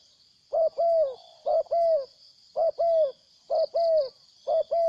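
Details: A wild spotted dove, which came to fight and then went away, gives a rhythmic run of low two-part coos, a short note then a drawn-out falling one, about once per second, against a steady high-pitched insect whine.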